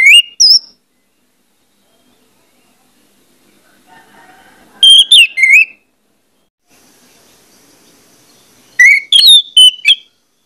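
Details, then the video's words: Three bursts of Orange-headed thrush song, used as a lure to get birds singing: rapid strings of rising and falling whistles and sharp chirps, separated by several seconds of near silence. "pancingan anis merah bikin cepat ngeplong"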